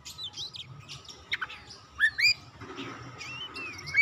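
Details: Oriental magpie-robin with a stimulating song to get silent birds singing: scattered whistled upslurs and quick chips, somewhat softer, above a noisy low background hum.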